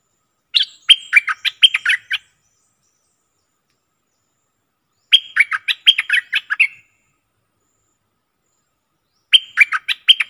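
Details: Bulbul singing in a contest, recorded 24 October 2021: three bright, quick phrases of about eight to ten sharp chirped notes each, spaced roughly four seconds apart, with clean silence between them.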